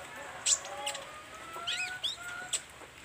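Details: Olive-backed sunbird singing energetically, learning song phrases: sharp, high chips about two seconds apart, with a short twittering phrase between them over faint background tones.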